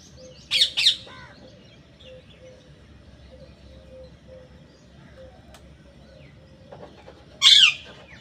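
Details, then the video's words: Parrot calling: a quick pair of grating squawks, a long quiet stretch with faint background hum, then a single loud, harsh squawk that drops in pitch at its tail. "Raw parrot"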